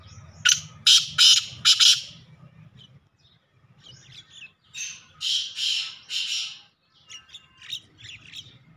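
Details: Male black francolin giving a rhythmic series of harsh, rasping notes, one loud group of four followed by quieter repeated phrases. A faint low hum runs underneath.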